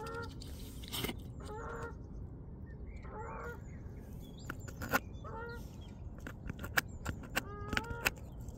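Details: Geese honk sporadically in the background, brief nasal calls scattered across the recording, while a swan feeds on seeds with loud isolated knocks and clicks.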